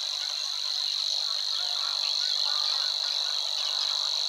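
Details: A Savi's Warbler reels steadily in the marsh near the Weerribben, Overijssel, May 2022, a continuous dry high buzz at constant pitch, over faint background bird chatter.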